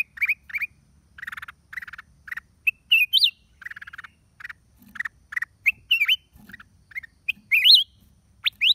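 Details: Black-crested bulbul recorded 29 December 2023, mixing repeated chirps and buzzy rattles with intermittent loud, looping whistled phrases that climb and dip in pitch.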